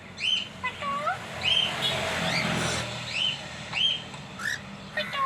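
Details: Cockatiel pair kept at home, repeating bright rising whistles and a few lower curved notes, spaced roughly a second apart, with a burst of broad hissing noise partway through and steady low hum beneath.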